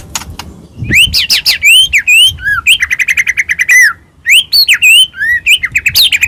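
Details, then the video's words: White-rumped shama of the Medan type, a strong-singing bird whose song is played to provoke other shamas to sing and get agitated; loud varied whistles, rising slurs and rapid stuttering trills in quick succession, no other sounds. "murai batu gacor AMPUH buat PANCINGAN murai batu agar bunyi JADIKAN burung murai gacor EMOSI"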